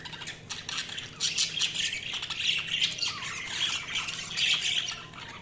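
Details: Budgies keep up a steady, dense chorus of warbling chatter and squawks, with one short falling whistle in the middle.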